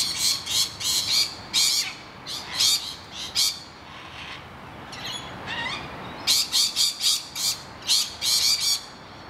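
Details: Screaming rainbow lorikeets guard their hollow against noisy miners, screeching in quick clusters of rasping notes, pausing midway while thinner, sliding calls from other birds fill the gap, then resuming in a dense burst.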